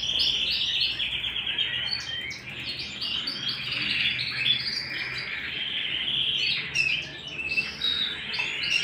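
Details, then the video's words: Canary singing at home: a fast, continuous high warble of rolling trills and chirps, bright and rapid with short glides, running without pause for nearly nine seconds. "canary singing at home"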